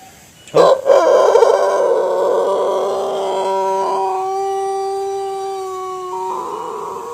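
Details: Long crow of a Pelung chicken from Plered, Purwakarta. It opens with a loud, harsh burst, then settles into a smooth, sustained, resonant note lasting over six seconds, with a small lift toward the end.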